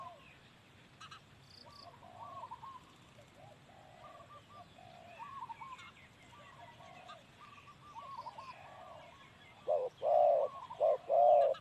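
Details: Male spotted dove, with faint chirps and whistles from other birds for most of the time before three loud, hollow, low coos arrive near the end.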